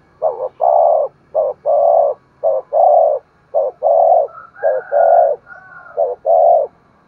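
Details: Spotted dove call used to stimulate other doves into cooing and calling: six low phrases, each a short coo then a drawn-out hollow coo, roughly one per second, with a brief higher tone midway.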